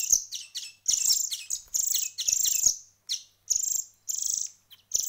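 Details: Songbird nestlings, hand-reared and a week into hand feeding. They produce shrill, scratchy begging bursts that rise and fall in loudness, with brief silences and clearly separated pulses near the end.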